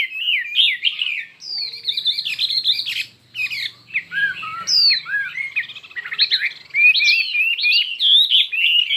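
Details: Many-voiced, heated contest singing by a Chinese hwamei: melodious whistles and trills flow in long phrases, broken by a short pause near the middle, then resume with bouncing, rapidly changing notes.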